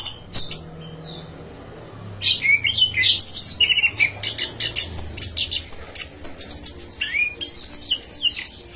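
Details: ['Orange-headed thrush song starting after two quiet seconds, then a rapid medley of chattering notes, rising whistles and scratchy squeaks, over a low droning hum.']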